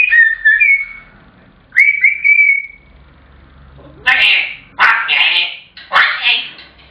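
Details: A pet African grey parrot shouts this when its owner gets home from work until it gets its tea, and again when the owner leaves the room: two clear whistles, the second held and sliding down, then three loud, harsh squawks about a second apart.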